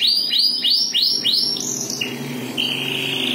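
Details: Domestic canary singing a loud, bright trill of repeated rising whistled notes, then shifting to long steady high tones, with constant background hiss.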